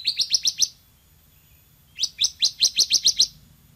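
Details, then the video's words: Bar-winged prinia (ciblek semi) in full song: a rapid string of six high chips, a short pause, then a longer run of about ten quick, bright, repeated notes. "MASTERAN CIBLEK SEMI GACOR VOLUME TEMBUS"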